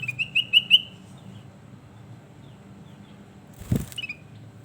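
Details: Kutilang emas (sooty-headed bulbul) singing: a short burst of four quick bright whistles, then quiet, a dull thump, and a final brief whistled note.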